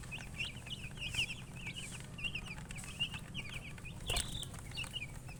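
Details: Baby chickens peep rapidly in a chorus of brief, high chirps, with occasional clicks and a sharp knock near the end over a low hum.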